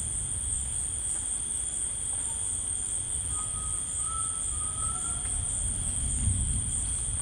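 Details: Grey tinamou singing in rainforest: a long, pure, slightly rising whistle held for about two seconds, with a fainter lower tone beneath, over a steady high insect drone and low rumbling background.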